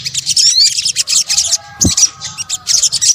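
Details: Sunbird, locally called sogok ontong, in a combined lure recording: dense, thin, very high chips and twitters run almost without pause, with a few clean rising whistles near the start and faint low thumps underneath.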